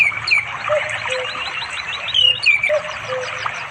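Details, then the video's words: Afternoon song of an orange-headed thrush calling a female to mate, by a forest river in East Java, recorded on Android; varied whistled notes mixing bright slurred phrases with lower soft whistles, against a continuous water and insect background. "The sound of the red anis bird chirping melodiously"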